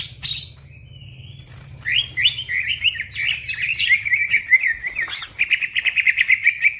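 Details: Green leafbird in fast, lively song said to spur other birds into singing; after a quiet start with a thin whistle, a dense stream of sharp chirps and trills builds up, ending in a rapid buzzy rattle.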